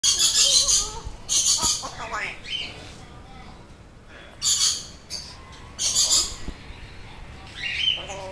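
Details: African grey parrot, kept as a pet, repeating words it knows: harsh broadband squawk-like bursts and short rising whistles in separate phrases, with quiet pauses between them.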